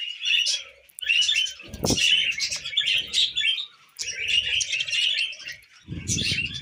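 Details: Tamed pet budgerigars eating millet: phrases of lively twittering chatter in bursts separated by short gaps, with rustling and a few thuds of movement.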